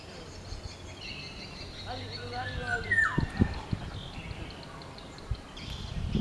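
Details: Oriolus chinensis, the black-naped oriole, in its natural habitat: a single mellow whistle curving downward midway through, among faint rustling, low knocks and a distant high chirping background.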